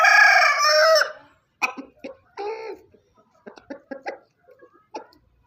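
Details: Rooster on a farm giving the tail of a full, harsh crow lasting about a second, then a series of short clucks and broken call notes at uneven intervals.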